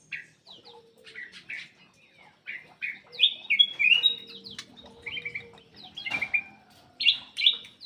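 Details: Black-crested bulbul in full song to coax silent birds into singing: a string of short whistled notes building into louder, bubbling warbled phrases, with a sharp click midway and a faint steady low tone.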